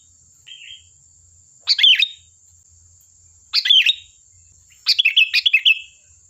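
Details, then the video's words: Sooty-headed bulbul singing in lively form, a recording used as a lure to draw other bulbuls into answering: three short bubbly, liquid phrases about two seconds apart, preceded by a faint soft note, over a steady thin high whine. "Suara burung Kutilang Gacor || Ampuh untuk pancingan, dijamin nyaut"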